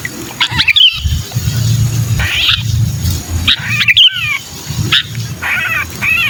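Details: Trapped sooty-headed bulbul distress cries, kutilang kejepit, played to draw down hard-to-lure bulbuls: grating, buzzy squawks in irregular bursts, some briefly distorted, with a low droning rumble underneath.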